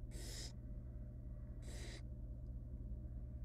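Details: Nestling barn owls, wild, begging in a nest box while their mother feeds them rabbit. Two strong, breathy hisses about a second apart over a continuous low hum.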